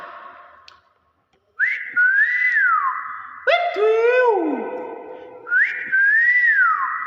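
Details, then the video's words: Nias hill myna repeating rounded whistles that rise and fall, followed by a rich, nasal note that drops steeply in pitch. The opening whistle pattern returns at the end, and a man's voice is heard faintly nearby. "BEO NIAS SUARA ASLI UNIK"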